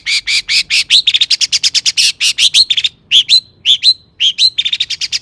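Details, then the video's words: Long-tailed shrike in full, rich song with imitated material, played to provoke other shrikes into singing; a fast run of sharp, high chirps, some with a bright whistled tail, loosely repeated about twice per second in a quiet background. "Kicau cendet gacor FULL MATERI MEWAH,, BUAT PANCINGAN CENDET AGAR BUNYI jadikan BURUNG PENTET GACOR"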